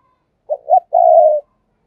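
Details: Decoy spotted dove (cu mồi) in captivity giving a single calling phrase: a quick clipped note, a rising coo, then a long low steady croon ending abruptly, in silence.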